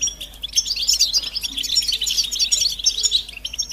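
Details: Group of European goldfinches giving mating and readiness calls meant to stir males into singing, a dense, overlapping twittering of high, bright chirps and short trills that runs without pause.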